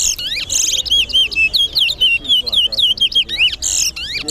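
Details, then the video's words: Chestnut-bellied seed finch, the towa towa of Guyana, competing in a caged bird singing contest; a fast run of repeated whistled notes, each sweeping down then up, broken by harsh buzzy chatters, with faint voices. "TOWA TOWA BIRD COMPETITION"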